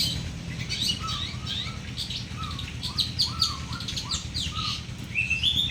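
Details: Two champion long-tailed shrikes, local Madura and local Bojonegoro birds, placed side by side: a varied stream of short chirps and quick slurred whistles, some rising then falling, with a steady low hum underneath.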